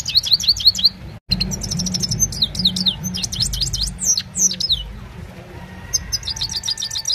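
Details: Evening song of a Himalayan goldfinch on a phone recording, opening with a quick series of repeated high chirps, then tumbling twittered phrases that fade into softer notes over a low background hum.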